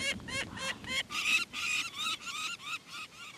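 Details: Ringed Peregrine Falcon chicks being returned to their nest in an abandoned chalk quarry in Sussex, the female calling nearby, give loud, harsh, rasping screams, about two or three each second, rising in pitch after the first few.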